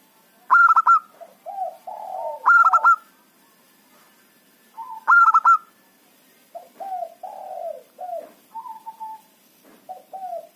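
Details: Local zebra dove calling loudly to lure wild birds into a trap: three bursts of sharp, stuttered, high coo notes, each followed by lower, rolling, descending coos.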